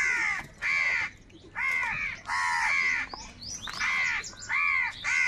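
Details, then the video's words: Crows fighting for food, calling angrily: a rapid series of harsh, rasping caws, roughly seven in five seconds, some with downward-bending overtones, closely overlapping from several birds. "Crow Birds Unity Anger and Sound | All types of Crow Sounds | কাকের ডাক Crow Sound Loudly"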